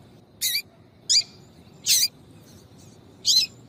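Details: Female yellow-bellied seedeater, 'tui tui' call used to attract males: four short, high, sharp notes repeated roughly every second, steady and clear over faint hiss.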